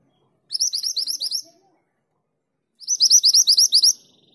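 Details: Female mantenan gunung calling to the male: two bursts of rapid, high, bright chirping notes, about nine each, in quick regular series with a pause between, otherwise quiet.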